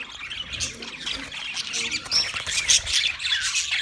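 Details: Wild budgerigars in full chatter, rapid high chirps and grating warbles overlapping without pause, growing slightly louder toward the end.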